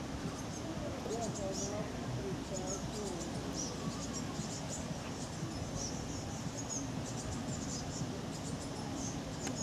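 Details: Azure tit, one of a small flock of white birds on a Siberian riverbank, giving thin, high chirps every half second to second over a steady low rumble and background noise.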